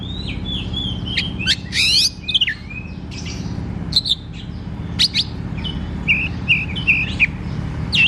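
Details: Oriental magpie-robin in open, loud ngeplong singing style, used as therapy and a lure for birds that sing little: varied whistles, quick rising and falling sweeps and sharp high notes in irregular phrases, over steady low background noise.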